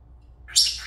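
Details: Senegal parrot, a talking and dancing pet, lets out a brief loud shrill chirp that rises quickly and stays bright and noisy to the end. A faint hum is heard before it.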